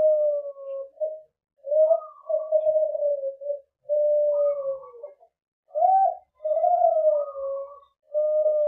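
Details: Young captive-bred Kelantan-type dove on a sound check dated 14 September 2022, singing a duet with a juvenile Kelantan: long, low, hollow cooing phrases in drawn-out, slightly falling notes, broken by short pauses.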